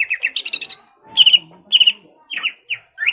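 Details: Greater green leafbird kept in a cage, singing to rouse a rival's aggression: quick bursts of two to four sharp, ringing chirps separated by short pauses, with a final upslurred whistle.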